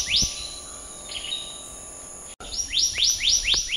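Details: Single rising whistle from a black-naped monarch. After a brief cut, five more fast upward-sweeping notes follow in a steady series, with a continuous high drone behind them.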